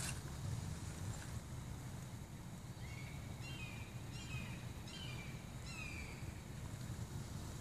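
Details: Wild turkey family in a front yard in fall: about five short, high whistled peeps, some sliding down, given over a few seconds, against a steady low rumble like distant traffic.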